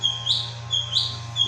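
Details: Drongo giving short, clear rising whistles repeated about every 0.6 seconds, each sliding upward into a higher note, with a steady low hum underneath.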